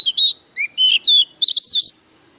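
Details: White-rumped shama, a decoy bird singing fiercely: loud rich whistles in short phrases, a clear note, a low slurred note, then sweeping glides ending in a long rising whistle.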